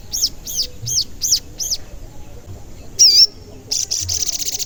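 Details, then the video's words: Sogon lure recording said to often sound cuit cuit: five evenly spaced, arched high chirps, a brief rising-falling whistle, then a fast high rattling trill. "Pancingan Sogon Agar Bunyi dan Emosi"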